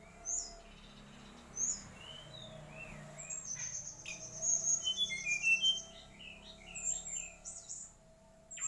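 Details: Song of a mangrove whistler: scattered whistled slurs, then a lively run of high twittering notes and rising whistles in the middle, over faint low background hum.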